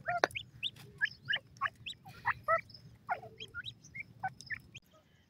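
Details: Teetar (grey francolin) chicks at feeding time: short, rising, whistled peeps and chirps, some doubled, given irregularly about twice a second, with faint background hum.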